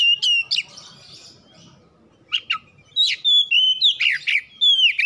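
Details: Home-kept kacer, the oriental magpie-robin, in a lure song for triggering song. Quick whistles and chirps, a lull, then a dense run of sweet whistled notes mixed with harsh rasps.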